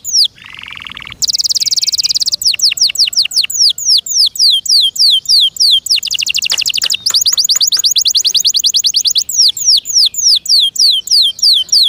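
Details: Pet canary in full song, opening with a short buzzy note, then a rapid rolling trill, followed by long runs of quick downward-sweeping whistles and a dense rattling passage.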